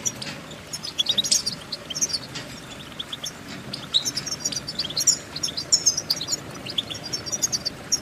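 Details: European goldfinch twittering in quick bursts of high, bright chirps and trills, partly masked by noticeable broadband background noise.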